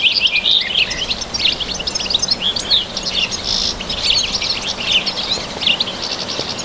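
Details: Wild European goldfinch song outdoors in nature, a dense, fast run of high, liquid twittering notes and buzzy chirps with barely a pause, loudest in the opening seconds and again around the middle, faint hiss behind.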